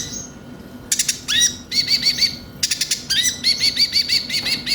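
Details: Brown-throated sunbird (konin), a lure recording for making the bird sing actively: rapid bright high chirps and short trills in bursts, with sharp clicking notes and quick repeated upslurred phrases.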